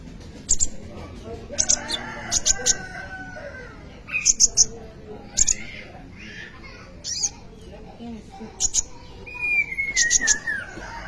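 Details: Sunbird (kolibri ninja) singing for use as a lure or tutor for training other birds: bursts of sharp high ticking notes in groups, and a falling thin whistle near the end, with light background noise.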